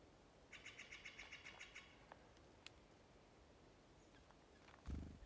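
A Mountain chickadee gives a quick run of about a dozen even, high, slightly nasal notes over a second and a half, followed by a soft thump.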